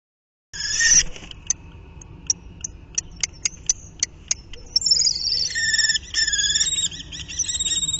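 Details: A pair of common kestrels, possibly during courtship, dispute a prey item on 28 March, giving shrill, high calls: sharp clipped notes about twice a second, then drawn-out, wavering whining calls.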